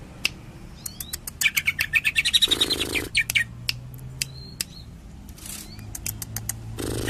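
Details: Greater green leafbird singing in 'tembakan' style: a fast run of sharp, high chirps with brief slurred whistles, partly masked by two bursts of rushing noise.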